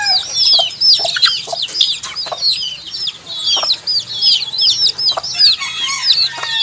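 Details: Baby chickens cheep loudly in bursts. Piercing, hooked peeps come in clusters with short gaps, from several birds at once, over a faint low hum.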